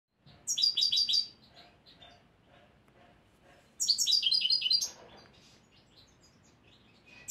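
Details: A young European goldfinch hatched this year, learning its song from a recording and at a fair level, gives two quick bursts of high, tinkling, liquid twitter, each about a second long, with soft faint notes and quiet background between them.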